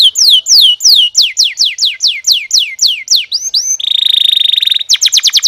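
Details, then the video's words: Training song of a canary: loud repeated descending whistles, two rising slurs, then a dense buzzy trill about one second long and a final burst of rapid high notes. "kicau burung kenari"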